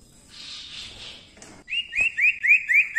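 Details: Common Iora singing actively as a tutor recording for songbirds: after a soft hiss and a click, a fast series of five bright upslurred whistles, evenly spaced about three per second.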